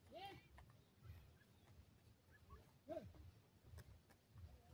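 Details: Baby pheasants being raised for profit, playing: two thin descending peeps with faint harmonics, the second near three seconds, over a low rumbling background and soft scattered taps.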